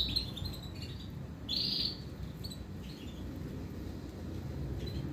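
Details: Female canary calling to her male while flapping her wings, a behaviour taken as a sure sign of a hen; one loud, high, harsh call of under half a second stands out, with a few fainter short chirps and low background hum.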